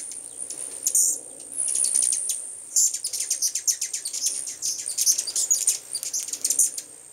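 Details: A crowd of hummingbirds arriving in full force: quick, very high ticking chips that come in rapid irregular runs, with a few louder squeaky notes near the start and a steady high whine behind.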